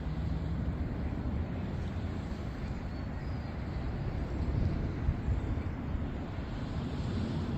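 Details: Steady low rumbling noise like a passing vehicle or wind, with no animal calls heard.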